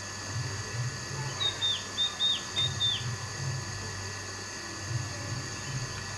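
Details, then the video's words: A Green-backed tit near a hotel in Peeling, West Sikkim, gives a brief run of five or six high, thin, down-slurred notes in quick succession, over a low rumble of background noise. "Green Backed Tit Calls"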